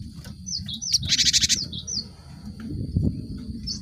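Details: Cinereous tit lure song to make group-caged birds sing quickly: short sliding high notes on either side of a loud, pulsing buzzy rattle, then a couple more clipped notes, with a steady high tone and low background noise.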